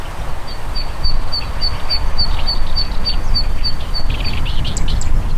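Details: A zitting cisticola calls while flying, giving a rapid series of sharp, high 'zit' notes, about three or four a second, over strong low wind rumble; a few other high chirps follow.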